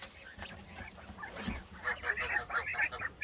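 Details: Quail in a freshly cleaned pen with new bedding, scratching around; a run of soft, quick chirps in the second half, rising out of faint rustling and low thumps from the start.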